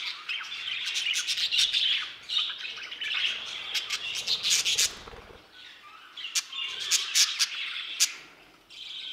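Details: Budgerigars in an aviary, bursts of loud chirping chatter and scratchy squawks separated by a quieter lull, then resuming with sharp clicks.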